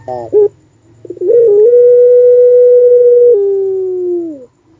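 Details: Puter pelung dove delivering its long wolf-like call: a brief throaty note, then a sustained, even, hollow tone held for about two seconds that steps lower and fades away.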